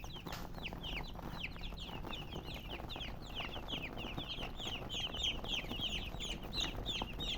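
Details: Baby chicks of domestic chicken peeping busily, many short falling whistles tumbling over one another several times per second, growing slightly louder toward the end, over a low constant hum.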